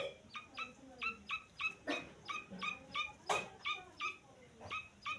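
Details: Grey francolin chick giving short, high, downward-slurred peeps with a bright, ringing tone. About three come each second at an uneven pace, with a few sharp broadband clicks or rustles between them.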